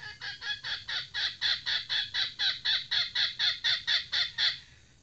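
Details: Trained decoy hen red junglefowl calling a steady series of about sixteen loud, rasping clucks, evenly spaced around four per second over five seconds, then stopping; faint low background rumble.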